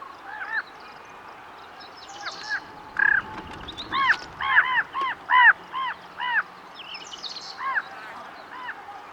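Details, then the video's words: Common raven calling: a run of hoarse, arched caws, repeated roughly once a second and bunched in the middle of the clip, a few fainter calls before and after, against a quiet background hiss. "Raven Sound | Mysterious Calls of One of Nature’s Smartest Birds"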